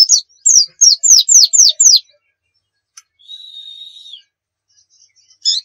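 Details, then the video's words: White-eye singing 'nembak' style as a lure recording: a run of seven quick, sharply downslurred whistles, then a long steady thin whistle that drops at the end, and a final short burst. "Masteran Pleci Nembak"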